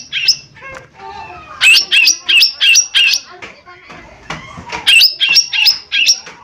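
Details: Cucak ijo mini (lesser green leafbird), a chatty lure singer for prompting responses: strings of loud piercing two-pitched notes about three per second, in two phrases split by softer chatter.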